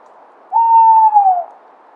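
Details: Single long hoot of a tawny owl, a steady tone slightly falling at the end, about one second, in near silence.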